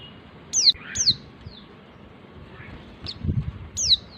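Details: Female white-eye, a small bird about 11 cm long, calling to the male. Clipped, piercing whistles slide downward: two come close together, then two more follow after a pause. Faint low thumps sit underneath.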